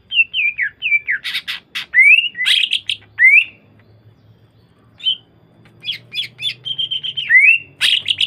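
A greater green leafbird sings bright, slurred whistles mixed with harsh chattering notes.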